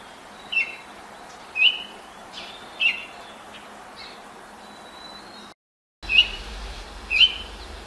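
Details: Baltimore oriole singing at sunrise, 5:40 a.m. on 10 May, in a neighbour's apple tree while hopping between branches and pecking; short clear whistled phrases spaced about a second apart, separated by quiet pauses.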